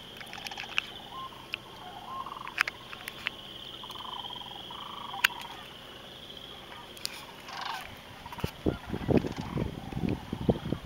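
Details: Thousands of Sandhill Cranes feeding in and flying over empty corn fields at sunset as a storm approaches; several give rolling, trumpeting, overlapping rattles over a steady high insect drone, with wind rumble near the end.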